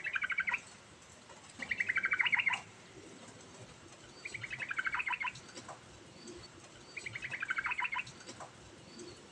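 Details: Sooty-headed bulbul singing continuously with varied phrases to lure a silent bulbul into singing: four quick chattering runs of rolling notes, each lasting about a second, spaced a couple of seconds apart.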